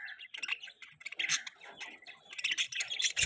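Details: Several budgerigars chirp and warble as a mating call. Rapid, overlapping high tweets and buzzy chatter run throughout, swelling louder toward the end, with a short low bump at the close.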